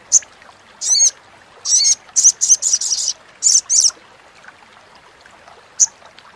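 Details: A Little Spiderhunter gives about ten short, harsh, high chattering bursts in quick, irregular runs, with a faint quiet hiss behind.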